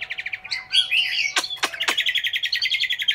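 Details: Caged Chinese hwamei kept in Hanoi, Vietnam, singing: a fast run of clipped notes about four per second, then jumbled whistled phrases and three sharp downward strokes before the rapid repeated notes resume; faint steady hum behind.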